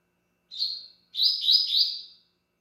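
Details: Double-collared seedeater singing: a short clear whistled note, a brief pause, then a longer sweet warbled phrase of linked rolling notes, loud and close in a quiet setting.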